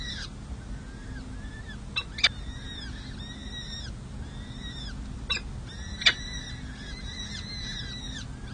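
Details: Peregrine falcon nestlings, four chicks six to seven days old, at the San Jose City Hall nest during feeding in May 2024. Their high, bent chirps repeat in dense overlapping runs, broken by several abrupt knocking clicks over a steady low rumble.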